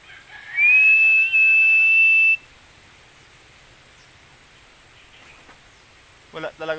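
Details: Philippine eagle hunting a rail (tikling): a loud, high whistled call that rises, then holds steady for almost two seconds with a brief break, followed by quiet background and a short burst of noise at the end.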